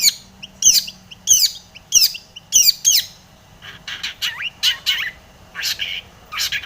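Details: Long-tailed shrike in full varied song, used as a lure to provoke other shrikes into singing: harsh, scratchy squawking bursts repeated roughly every half second, then softer, rising whistled and chattering notes in an irregular stream.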